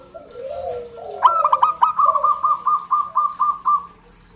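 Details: Local zebra dove singing, played to coax other zebra doves into song: soft low cooing, then a sharp opening note and a fast staccato run of about ten short, evenly spaced clipped notes held at one pitch.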